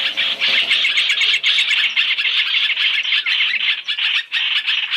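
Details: Chinese hwamei call used as a lure for bird trapping, a three-in-one lure track: dense, rapid, harsh chattering and whistled notes run together continuously, a busy scratchy stream with no pauses.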